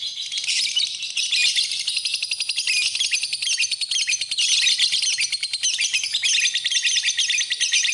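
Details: A lovebird sings in masteran style: nonstop high twittering made of rapid buzzy pulses and squeaky chirps. It grows slightly denser toward the middle and plays over a clean, quiet background.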